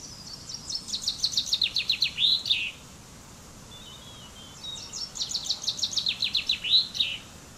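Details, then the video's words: Two full songs of a common chaffinch (Fringilla coelebs), each a rapid run of sharp notes stepping downward and closing with a looping flourish, separated by about two seconds of near silence. "Canto del Pinzón Común"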